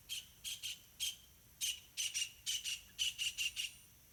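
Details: Two hungry yellow-vented bulbul chicks beg for food while their parents feed them in a pineapple garden: high, scratchy chirps in quick, uneven bursts, about a dozen in four seconds, over a faint low hum.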